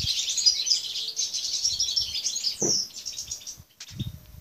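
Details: European goldfinches (balcanica subspecies) in an aviary on 13 June 2014. High tinkling twitters and buzzy chirps run continuously, then thin out near the end; a dull knock sounds partway through and another low bump follows.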